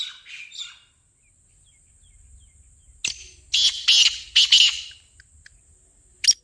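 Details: Black francolin giving its call, used to set a francolin calling: a few faint scratchy notes, then a loud cluster of harsh, buzzy rasps in about one and a half seconds, ending with one brief sharp note.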